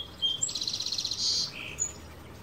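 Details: A male sparrow sings in a California backyard in the morning, recorded with an Olympus PEN E-PL9: a brief whistle leads into a rapid pulsing high trill, a sustained buzz, then a lower note.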